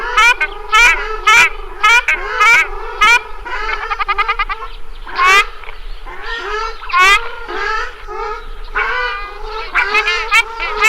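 Loud, nasal honking calls from a ruddy shelduck, given in irregular bursts about twice a second. Some notes are rapid stuttering runs, others drawn-out trumpeting honks.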